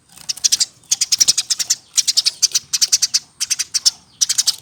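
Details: Eurasian tree sparrow, raised by hand from a nestling and aged one year or more, pours out near-continuous high chirps in dense clusters of four to six with only brief breaks.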